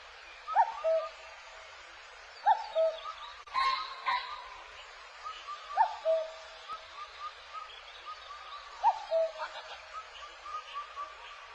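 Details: Common cuckoo calling a falling two-note cuck-oo every two to three seconds; the adult calls from treetops near a crow-tit host nest where its chick was raised, teaching the chick its call in midsummer. Faint chirps from other birds, steady hiss.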